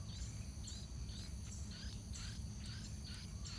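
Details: Fledging day at a yellow-vented bulbul nest, with chicks shuffling on the rim and parents still bringing food; a run of brief, sharp, high chirps comes about every half second against a constant insect buzz and low rumble.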